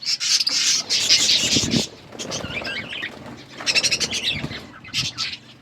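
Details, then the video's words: Chirping of colourful pet budgies: bursts of harsh, high chatter broken by short quieter gaps, with faint rustling and wing flutters. "Beautiful budgies colour budgies chirping sounds"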